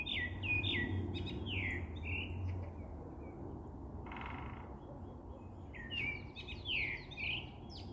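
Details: Songbird singing clear whistled phrases that slide downward, repeated in short bursts at the start and end, with a steady low rumble beneath.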